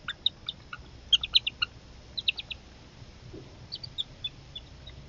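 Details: Growing Northern Harrier young at dinner time, the mother delivering food and a thief taking it. Scattered short, high, piercing notes come in small clusters separated by brief gaps.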